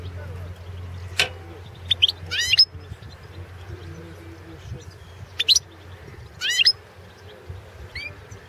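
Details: Balkan goldfinch, Carduelis carduelis balcanica, in a 2016 world championship song competition recording held online under Serbian association rules: several quick high twittering phrases of tinkling trilled notes, scattered across the stretch over a faint low hum.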